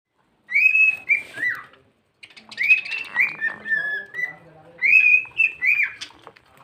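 A cockatiel gives bright, whistled phrases in short bursts, with slurred notes like mimicked speech.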